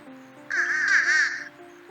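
A fish crow gives one nasal, slightly wavering caw lasting about a second, over soft background music.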